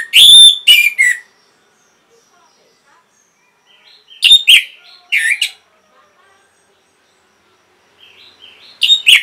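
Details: Orange-headed thrush, a prompting song for caged birds that have gone quiet: brief bursts of sharp chirps and slurred whistles, each separated by several seconds of silence, quieter near the end.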